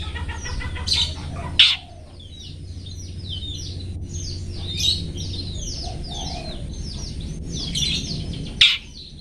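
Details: Long-tailed shrike song used as a master recording for training cage birds: varied high chirps and short sharp notes with a few loud strident bursts, over a steady low hum.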